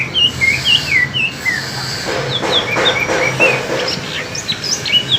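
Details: Greater green leafbird from East Kalimantan matched against one from Alas Purwo, Banyuwangi, in a singing contest between two birds: varied whistled and slurred notes, rising and falling, delivered in quick bursts, with a steady low hum beneath.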